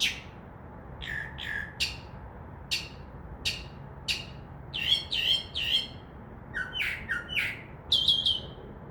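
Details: Wild Northern mockingbird singing at night from a tree beside a window, mimicking crows and other sounds; a run of sharp clicking notes builds into paired buzzy chirps and warbled phrases.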